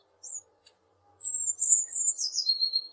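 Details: Eurasian blue tit song: one short high note, a pause, then a rapid, very high trill that slurs downward and ends in lower, evenly repeated notes.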